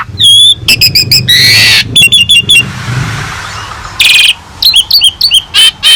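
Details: Asian pied starling song from a training master recording: whistles and fast clicking chatter, a buzzy burst, a quieter gap of hiss, then a loud grating note and a run of repeated sharp whistles.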